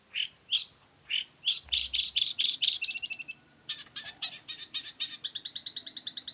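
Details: Male long-tailed shrike from Ngimbang, Lamongan, singing continuously: high chattering and buzzy notes, then long runs of rapid repeated harsh chips, with a man speaking briefly.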